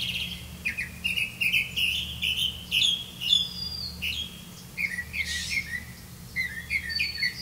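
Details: Red-vented bulbul feeding crickets to its young: a lively run of short chirps and twittering notes, roughly two a second, with a brief louder scratchy burst partway through.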